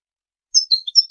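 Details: Brief phrase of European goldfinch song for tutoring young birds and hybrids for song contests, a few quick high tinkling notes after a moment of silence.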